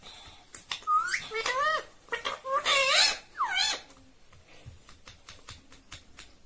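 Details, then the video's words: Talking parrot that says "mummy" and "papa": a run of bent, voice-like harmonic syllables, some falling, some rising, then quieter clicks and rustling. "talking Parrot mummy 😍 papa"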